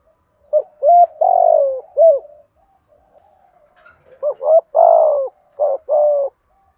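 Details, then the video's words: Spotted dove performing thúc gù cooing: a phrase of clipped notes around a long falling coo. After a short pause with soft murmurs, a second phrase follows with the long coo flanked by short, stuttering notes. "Tiếng chim cu gáy thúc gù gáy gọi đủ bài bổi nghe là gáy sung mãn xuất ngày"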